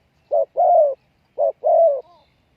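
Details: Decoy spotted dove cooing to draw in wild doves: two low phrases, a brief note then a sustained falling coo, the second ending in a faint soft trailing coo; background otherwise still.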